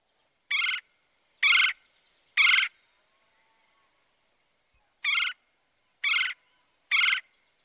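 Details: Red-bellied Woodpecker's lower-pitched trilled 'jur jur': six burry, rolling churr notes given in two sets of three, about one per second, with a silent gap of two seconds between the sets and a quiet background.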